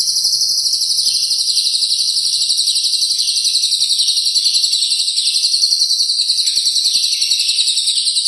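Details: Lovebird performing long ngekek with Cililin fill, a master recording for competition birds: an unbroken, shrill, fast rattling trill, loud and steady, with slight rises and falls in tone.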